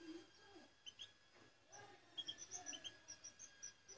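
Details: Eight-month-old caged European goldfinch: a few short high chirps early on, then a quick run of thin, high, evenly spaced notes through the second half, with soft low murmuring sounds underneath.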